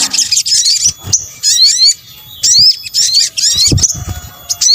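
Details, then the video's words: Lure mix of sunbird calls: bursts of fast, high, thin chattering and sharp down-slurred whistles, each lasting under a second and separated by short quiet spells, with faint low rumbles beneath. "kombinasi suara sogok ontong"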